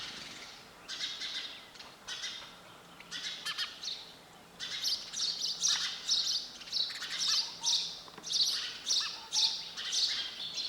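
Sparrows chirp in a busy stream of short, bright cheeps, several birds overlapping and growing louder and denser toward the end.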